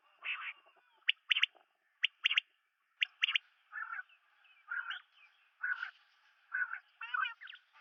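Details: Calls of the common quail, Coturnix coturnix: crisp notes in pairs and triplets about once a second, followed by lower, rougher buzzy phrases at a similar pace.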